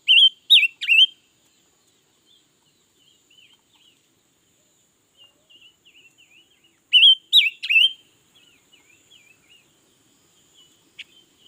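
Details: Red-billed leiothrix in song all day, 2021: two loud bursts of three quick warbled whistles about seven seconds apart, linked by soft, scattered twittering notes in between.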